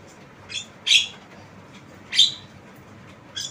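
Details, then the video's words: Tame Javan myna, said to be able to talk, in a recording meant as a lure: short harsh squawking chirps, high-pitched and rasping, given in uneven bursts about every second against a faint steady background hiss. "Jalak kebo Suara Unik"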